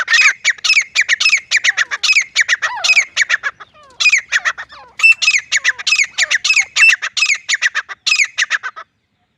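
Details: Female grey francolin hunting call in jungle: long fast series of loud, shrill, harsh notes in tight clusters, a short quieter break with faint slurred notes, then the rapid chattering resumes before stopping.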